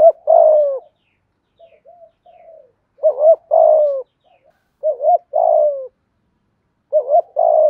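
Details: Spotted dove delivering a full calling, urging and cooing song meant to prompt other doves; four phrases of a bouncy double note leading into a drawn-out descending coo, with soft murmured notes in the pauses.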